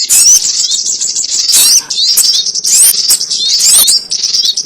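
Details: High, sharp chirping of a sogon ontong lure recording for trapping birds, with quick rising whistled slurs packed into a near-continuous chatter that pauses briefly around two seconds.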